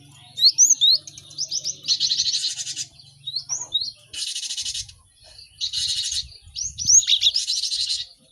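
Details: Numerous caged cinereous tits singing as a training recording for quick song learning: whistled slurs interrupted by harsh, hissing buzzy bursts lasting about a second, then more rapid high chirps.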